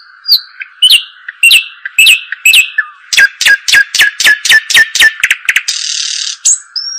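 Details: A European robin sings high sliding notes, then a quick run of crisp descending notes, ending in a hissing burst and a thin whistle. A steady tone is audible throughout.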